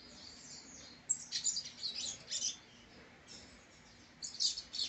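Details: Double-collared seedeater, a well-groomed brown young male, gives high, rapid twittering song phrases of thin chirps and trills, with a short pause between bursts and a faint background hiss.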